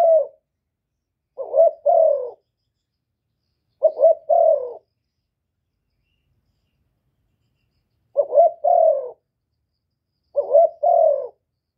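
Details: Spotted dove kept in captivity, its call used to spur other doves to sing; soft low coos in paired phrases, a quick note then a longer sliding coo, four full phrases with a long pause midway, no other sounds.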